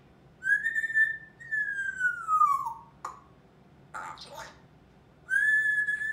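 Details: Indoor pet African grey parrot, a 21-month-old female that loves to chat. She whistles loud, clear tones, one long note gliding downward, then short breathy bursts, then a steady high whistle at the end.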